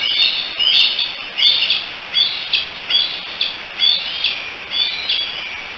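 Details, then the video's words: Three bald eagle young together at the Decorah nest on July 16, 2018, calling for their mother: sharp, high, slurred chirps repeated about once a second in an uneven series, with faint steady hiss behind them. "The 3 D's hanging out and chatting together, probably calling for Mom."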